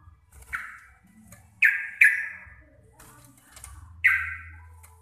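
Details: Local Javanese sooty-headed bulbul in lively chattering song, described as deep, clear and loud with rapid ropel phrasing: a few harsh, buzzy bursts that fall slightly in pitch, spaced irregularly over a quiet low background hum.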